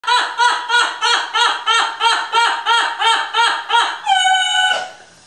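An Amazon parrot laughs in a fast, rhythmic string of about a dozen harsh, rich 'ha' notes, then ends on a longer, steady, squawky tone.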